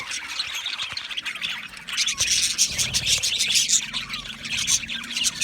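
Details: A group of budgies chirping, with rich, warbling high chatter that grows louder after the first two seconds and stays dense to the end.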